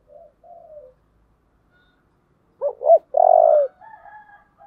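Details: Spotted dove singing in the giọng thổ style: faint low coos, a pause, then two short loud hooting notes followed by one long, strong, level coo, with softer trailing notes after.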